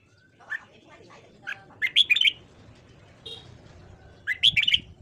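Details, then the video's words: Red-whiskered bulbul morning song used for voice training: a few soft introductory notes building to a loud rapid warbled phrase of bright whistles, a brief faint tone, then another full phrase near the end. "luyện giọng chào mào hót sáng"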